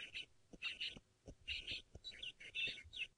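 Francolins give harsh, grating bursts of calling, several per second in ragged clusters, with soft clicking frog notes and other birds in the background.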